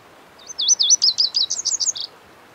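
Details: Lazuli bunting song: a brisk phrase of about a dozen high, clear chirps, each note slurred and rapidly repeated. It lasts around one and a half seconds with a quiet background.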